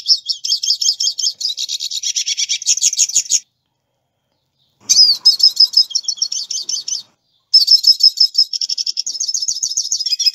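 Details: Hooded siskin from South America delivering bursts of fast, high, jingling twitter, broken by two short silent pauses, with sharp rising whistled notes mixed into the chatter.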